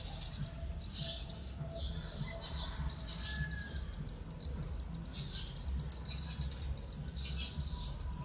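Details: Red-keeled Flowerpecker, a Philippine endemic, in natural forest habitat at Bued River, Northern Philippines, on December 25, 2020: a few thin, high descending chirps, then a rapid run of very high, sharp ticking notes over a quiet low hum.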